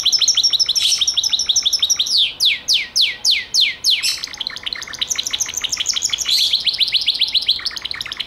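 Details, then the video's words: Gloster canary: a fast rattling trill, then six loud descending slurred whistles, followed by quick rolling trills at high pitch. "CANARIO GLOSTER"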